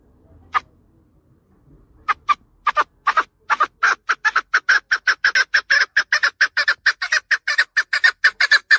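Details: Chukar partridge calling: a few scattered clucking notes build into a fast, accelerating run of sharp, evenly spaced chuck notes, loud and clear against a quiet background.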